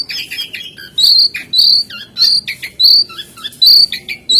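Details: Lively jongkangan, or lesser shortwing, repeating loud, high, clear whistles about every half second, mixed with softer chattering notes between them.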